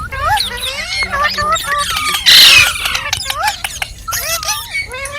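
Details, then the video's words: Ringneck parrot making talking and singing sounds: rapid wavering whistled notes and clicks in a continuous stream, broken midway by a loud harsh burst of noise, then more looping chatter. "Amazing Ringneck Parrot | Talking, Singing & Funny Sounds"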